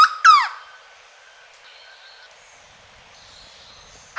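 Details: Hooded berryeater at Caparaó National Park, Alto Caparaó, giving two loud, ringing, downward-curving notes close together, then silence until a final note begins at the very end.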